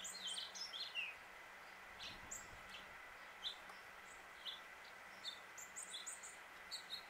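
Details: Male house finch in Suffolk, Virginia, USA, calling and chirping: scattered short, high chirps and brief warbled notes, some rising, spread through the recording over a steady background hum.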